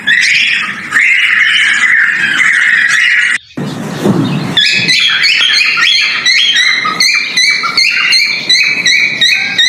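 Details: Male cockatiel giving its mating-call whistle while breeding: a long steady whistled note, a brief noisy break near the middle, then a quick series of short, bright, repeated whistled notes with upward flicks.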